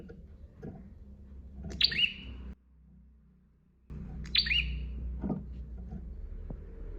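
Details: Master recording of a bar-winged prinia: a sharp, high chip dropping into a drawn-out buzzy tail, given twice with a brief quiet gap between, low rumbling noise underneath.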